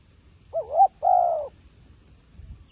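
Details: Wild pigeon calling: a wavering, rising-falling tonal note followed by a longer, steady, slightly descending coo. A faint low rumble lies underneath.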